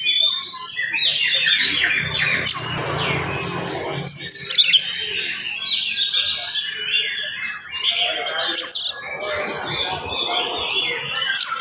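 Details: Morning song of an oriental magpie-robin, rapid and tightly packed, meant to excite listening magpie-robins; varied whistles and trills run steadily, with a burst of rough noise near the start and a faint low hum.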